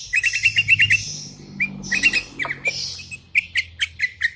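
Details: Sooty-headed bulbul calling out to rivals with wild bulbuls replying: a fast even series of about eight bright whistled notes, then scattered chirps and single sharp whistles.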